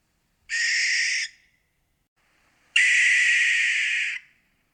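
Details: Barn owl recorded in Florida: a short raspy screech followed, after a second and a half of silence, by a longer, louder breathy shriek lasting about one and a half seconds.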